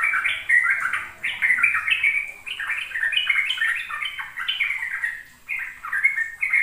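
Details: Trucuk, or sooty-headed bulbul, singing fast ropel song used to coax young birds into singing: lively cascades of short warbled notes in tight bursts, with a brief gap just before five and a half seconds.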